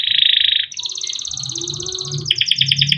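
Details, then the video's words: Young male canary kept in captivity, singing a long continuous song used as a master to train young canaries: a dense high buzzy trill, then rapid even repeated notes, switching to a lower fast trill near the end, with faint low rumble beneath. "SUARA KENARI MUDA GACOR untuk pancingan kenari paud || kenari gacor panjang || canaries singing"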